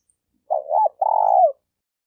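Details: Spotted dove kept as a decoy bird for trapping in Malaysia, giving one low, mellow coo phrase: a short wavering two-note coo, then a longer, even, slightly falling croo, in a quiet setting.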